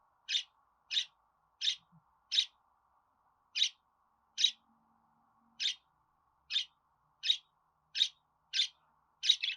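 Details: Budgerigar giving short, bright chirps, twelve sharp notes spaced roughly every half to one second with a brief pause near the middle, over a faint steady hum.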